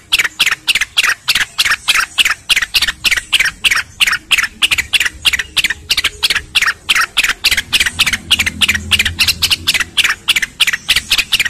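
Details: A ruby-throated bulbul (Rubigula dispar) sings a fast string of bright, harsh chattering notes, about three each second, with a faint low hum underneath, possibly the added flowing-water background.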